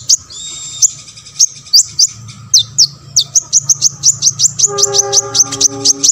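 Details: Olive-backed sunbird (konin) song played to make other sunbirds sing; thin high trills followed by a quickening series of sharp high chirps, with a faint tonal whine entering near the end.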